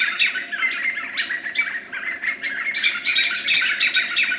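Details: At Boca Tapada de Arenal in Alajuela, Costa Rica, 2013, White-fronted nunbird gives loud, squawky, rapidly repeated notes in a dense, unbroken chorus-like stream.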